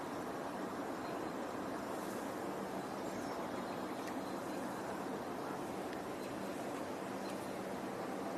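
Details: Constant broad roar of a moving vehicle runs throughout, with no animal voice.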